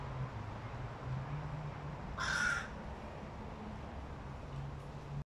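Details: Young male hooded crow with a breaking voice, August 2022: a single short, hoarse caw sounds midway through, rough and grating, over a steady low hum.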